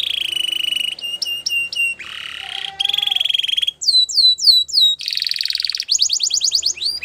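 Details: Belgian canary singing contrasting phrases: steady ringing trills, a low mellow whistle, fast downward-curving chirps and a rising buzzy series, each lasting about a second.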